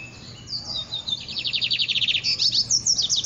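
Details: Lined seedeater singing at dawn: a quick, high series of sharp chirps and buzzy trilled phrases, with clipped notes rushing together and a brighter burst of slurred whistles near the end.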